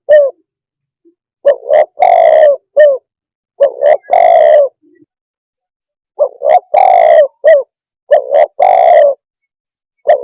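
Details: Spotted dove cooing close up: low, hoarse phrases of one or two short notes leading into a long, drawn-out purring coo with a brief clipped note after, repeated in groups with pauses of a few seconds.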